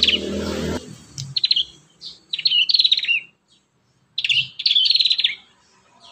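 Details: Prinia song played as a lure for young prinias: rapid trilled phrases of high chirping notes in two main bursts separated by a silent gap, with an opening burst of broadband noise.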